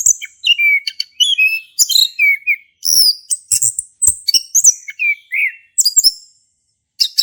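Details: Singing male orange-headed thrush from Indonesia, caged, ngeplong style for prompting silent birds; rapid phrases of high chips and slurred whistles, several falling notes, ending after a brief silence with a last burst.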